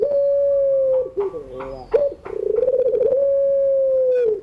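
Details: Barbary dove pelung coo, afternoon, for training young singing birds: a long even low note slides down, a short warbling break follows, then a pulsing roll builds into another held tone that fades.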